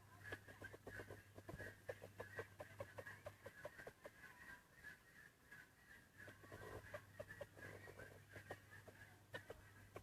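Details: Free-ranging chickens released to feed on grass and weeds around Hmong hillside fields and forest; a run of short, low clucks comes in quick bursts, over a steady high insect buzz and a faint low hum.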